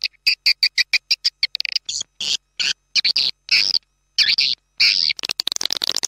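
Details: Swiftlet call played to attract birds in swiftlet farming: evenly spaced clicks speeding into rapid ticking, then longer raspy chattering phrases separated by short gaps.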